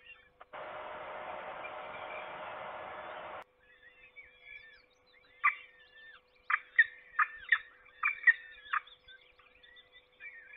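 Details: Peregrine falcon at the nest in a forest at Trzebież during a feeding, 7 May 2022: a burst of broad rushing noise, then a run of harsh, repeated calls in quick uneven bursts, with fainter squeaky notes and a steady low hum.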